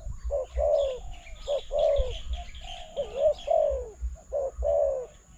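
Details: During decoy trapping, a spotted dove gives a run of hoarse, slurred coos in paired phrases, a short note followed by a longer falling one, with faint high chirping from other birds behind.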